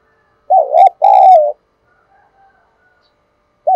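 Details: Spotted dove giving a thúc gù coo used to lure wild doves: a loud wavering note, then a longer sustained one. Faint distant coos follow, and another loud note starts at the end.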